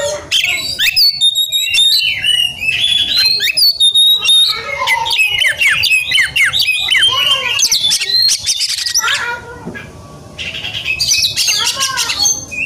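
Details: Long, relentless outpouring from an Oriental magpie-robin, agitated and seeking a fighting rival: a varied medley of chatters, squeaks, whistles and rasps, easing into a quieter gap near the end before resuming.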